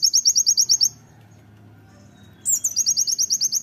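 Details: Oriental white-eye master song for training, 'tembakan' type: the end of a quick high chip series, a pause of over a second, then a descending intro note and another rapid, shrill volley.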